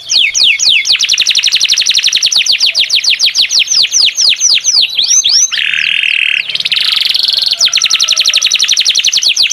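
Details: Domestic canary in full, vigorous song, fast repeated down-slurred whistled notes in long trills, shifting into a harsh buzzy stretch before returning to rapid rolling phrases.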